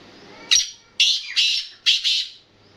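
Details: Black francolin giving a loud, harsh call: a short rasp followed by a grating phrase of three drawn-out, scratchy notes, each falling at its end, over faint background hum.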